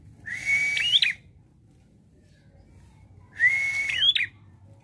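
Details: Prinia in full song with a shooting variation: two phrases about three seconds apart, each a steady whistled note that jumps to higher, buzzy twisting notes over a hissy buzz, with a low hum behind.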